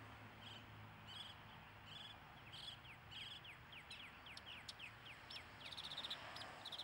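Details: Mockingbird singing a long run of repeated short downslurred chirps, roughly one every third of a second, mixed with buzzy higher notes, ending in a rapid series of sharp ticking notes; soft low rumble behind.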